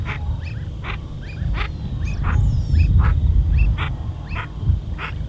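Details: Brazilian teal calling: short, sharp notes repeated roughly every half second to second in an uneven series, over a steady low rumbling background noise.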